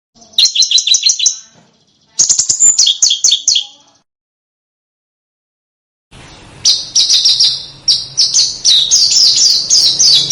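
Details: Small bird song on training material for competition cage birds: two quick high trilled bursts of descending notes, a silent gap, then a more continuous ringing chatter over low background hum.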